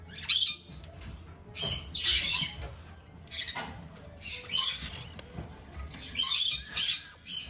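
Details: Two captive-bred female red-shouldered macaw chicks, still hand-fed three times daily, giving harsh, raspy squawking bursts in irregular groups of one or two, separated by short quiet gaps.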